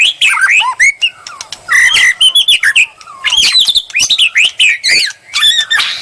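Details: Provoking song of a white-rumped shama, used as bait: fast medley of bright whistled notes, chattering trills, downward slurs and harsh squawky bursts, delivered in loud, closely spaced phrases with brief pauses.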